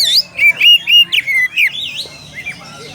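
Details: Oriental magpie-robin calling a rival, a burst of loud clear whistles, some slurred and wavering, followed by softer trailing notes.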